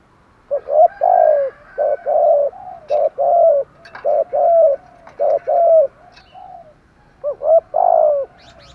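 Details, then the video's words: Male and female spotted doves calling to stimulate trained doves: a dense run of low, husky coos, short double notes each followed by a drawn-out rolling note, then a pause and a final phrase. "chim cu gay thuc gu giong tho cu cuom gu thuc"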